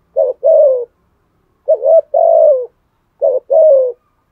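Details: Spotted dove giving challenge coos in the deep 'thổ' voice, three low phrases around 1.5 seconds apart, each a short note then a longer mellow coo that trails downward.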